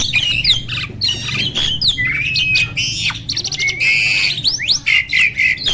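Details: Black-winged starling in song, a recording meant to prompt lazy starlings into singing: dense, fast mix of scratchy squawks, buzzy rattles and sharp upslurred whistles, roughly four notes a second, continuous throughout.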